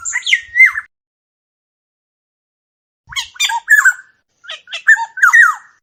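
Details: Black-naped oriole song recorded without other noise: a short burst of squeaky, slurred whistles, a silence, then two phrases of varied harsh and fluty notes.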